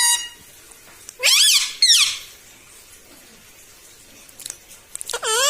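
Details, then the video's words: Pet parrot that talks, saying "mummy" and "mitthu": a pair of loud rising, arched harmonic squawks close together, then near silence with small clicks before a last upswept call. "TALKING PARROT - MITTHU MITTHU - MUMMY BOLNE WALA TOTA - मे तोता में तोता है मिट्ठू मिट्ठू"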